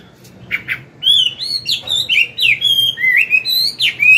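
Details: Old wild-caught Chinese hwamei singing its forest-style morning song, used to train newly caught birds: after two faint buzzy notes, a rapid run of loud, rich whistled phrases slurring up and down, with bright repeated trills.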